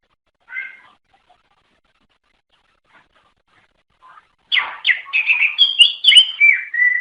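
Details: Greater green leafbird, known in Indonesia as cucak ijo, singing to draw in others of its kind; a faint early chirp and quiet notes, then from about four and a half seconds a loud dense run of whistles and chirps.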